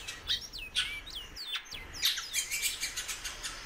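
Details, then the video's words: Calling female great-billed seed-finch: several looping whistled notes in quick succession at the start, then denser sharp chirping and ticks to the end. "FÊMEA DE BICUDO PIANDO MUITO"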